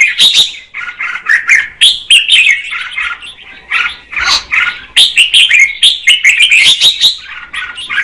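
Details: Female red-whiskered bulbul singing to stimulate the male, a steady stream of quick, chattering and warbling notes, rising and falling, with sharp clicks between phrases.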